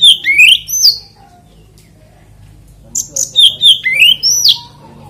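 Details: Oriental magpie-robin singing to trigger song from other magpie-robins: a short whistled phrase with a rising sweep, a quiet pause, then another burst of loud slurred whistles and upward glides.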